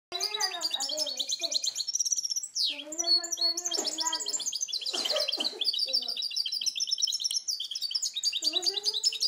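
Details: A goldfinch-canary hybrid recorded in 2010 sings a fast, continuous run of bright twitters, trills and buzzy rolls, with what may be a child's voice underneath.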